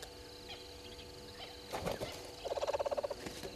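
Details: Red-billed hornbill at the Gowrie dam waterhole, Djuma Game Reserve, Sabi Sand Wildtuin, South Africa, 05:53 on 04/03/2022. After a rustling burst, a quick run of about a dozen hollow, evenly spaced clucks follows amid faint background birdsong.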